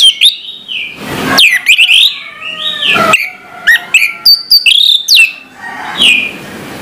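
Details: Morning song from an orange-headed thrush, loud varied whistles, slides and chips in quick succession, interrupted by two brief bursts of rustling.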